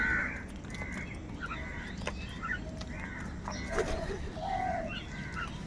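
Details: Many crows calling in the morning: harsh, hoarse caws in short bursts, several birds overlapping at irregular intervals, over a steady low rumble of background noise.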